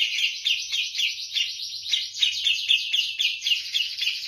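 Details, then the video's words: Javan grey-cheeked bulbul giving an insistent, lively song likened to the kapas tembak. A continuous, fast, slightly blurred stream of bright chattering notes. "cucak jenggot jawa gacor ngotot seperti kapas tembak"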